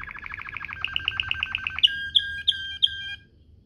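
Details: Canary rolling song in Waterslager style for tutoring young birds: a quick pulsed trill followed by four evenly spaced, ringing whistled notes.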